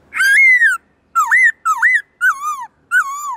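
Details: Black-throated laughingthrush, a kept songbird singing in many voices in a forest-style song used to spur wild-caught birds: five loud, clear whistled phrases, the first long and falling, then looping rise-and-fall slurs, with short silent gaps.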